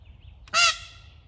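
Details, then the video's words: A lone peahen wandering in the morning, apparently separated from her group, gives a single loud, harsh, nasal honk of about a quarter second over a low steady rumble, as she is urged to "honk for the truckers". "Peahen Gives a Honk"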